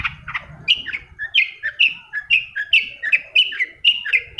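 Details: Long-tailed shrike song played to coax silent shrikes into singing: a fast series of clear, slurred chirping notes, each dipping then rising, repeated several times a second with a faint low rumble beneath.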